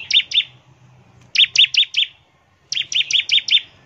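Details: Bar-winged prinia giving ngebren-style song used to prompt prinias to sing: high clipped chirps in quick bursts of two, five and six notes, separated by brief silences.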